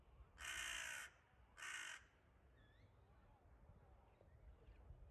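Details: Crows attacking a wildcat on 9 May 2022 give two loud, harsh, raspy caws, the first nearly a second long and the second shorter. Faint thin whistled bird notes follow over a quiet outdoor background.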